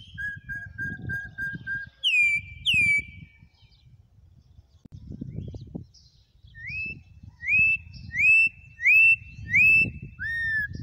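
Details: Campo troupial in wild song: short soft repeated notes, two loud downslurred whistles, a pause, then a quick sequence of six rising and falling whistled phrases over low background noise.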